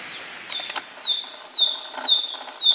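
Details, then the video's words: Wild tledekan kembang, a flycatcher in Indonesia, singing in full voice: high, thin whistles repeated about every half second, with soft clicking and rustling patter between them. "Tledekan kembang gacor di alam"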